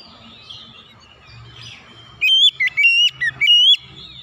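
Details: Oriental magpie-robin calling to prompt a silent bird to start singing. After a quiet start with faint background chirps, it gives a loud burst of high, clear whistled notes, stepped and slurred, in quick succession.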